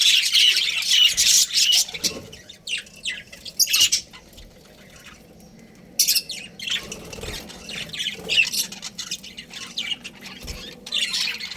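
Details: Breeding pair of budgerigars giving bursts of high, rasping chirps and squawks, separated by quieter gaps of a second or more.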